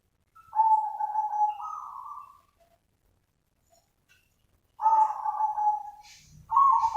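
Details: Perkutut (zebra dove) calling to lure other doves: a wavering coo phrase, a long silence, then another phrase and the start of a third, with faint low noise at the end.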